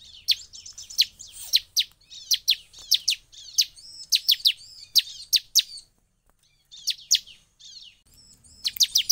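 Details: Singing Sunda whistling thrush, its song said to stir other birds into singing at once: irregular sharp whistled downslurred notes and short varied twittering phrases, spaced unevenly with a brief quiet gap, then a fresh burst at the end.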